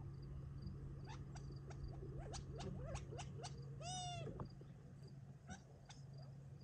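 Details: Gambel's quail flock feeding on scattered food near Tularosa Creek in July before retreating for the night; quick sharp chips, then a drawn, stacked downward-bending call, over a steady low hum and high cricket pulses.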